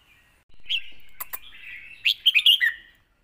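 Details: A red-whiskered bulbul sings a point-scoring competition song meant to teach young birds: a soft sustained warble, two clicks, then a quick cluster of loud, bright, rising and falling notes.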